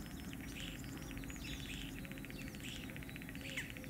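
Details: Common starling courting and mating, singing a busy mix of fast clicking rattles, wheezy bursts and thin whistles, some slurring downward, over a steady low rumble.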